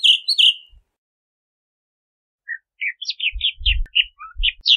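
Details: Bahama mockingbird song with a couple of strong slurred whistles, a pause of nearly two seconds, then a quick series of short, scattered chirps over faint low rumbles.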